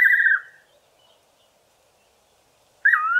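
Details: Fiery-necked nightjar (Caprimulgus pectoralis) singing from a garden tree in the evening: a loud, clear, quavering whistle that slides down at the end, then a pause before the next phrase.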